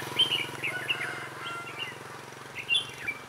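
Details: Decoy red-whiskered bulbul singing to attract wild birds into a trap, 11/12/2016: short chirpy whistled notes scattered through the clip, set against a steady low engine hum.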